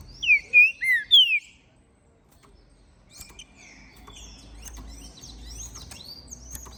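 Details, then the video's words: Ringed, captive-bred green-winged saltator from Minas Gerais, Brazil, singing strongly after moulting: a burst of four loud, clear, down-slurred whistles opens, followed by several seconds of faint, high, twittering notes from other birds. "Esse TRINCA FERRO é o MELHOR para ABRIR o CANTO! pois Canta e MACHEIA MUITO!"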